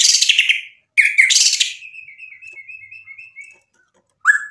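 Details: White-rumped shama song meant to provoke a rival: bright chirpy bursts, then a level run of quick, even twittering notes, ending in one sharp whistled note.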